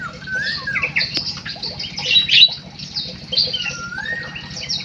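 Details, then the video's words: Munia giving dense, high, squeaky chirps and scratchy twitters, with a few short rising whistles in between, over a low background hum. "EMPRIT KJ ISTIMEWAH MENGGEMASKAN"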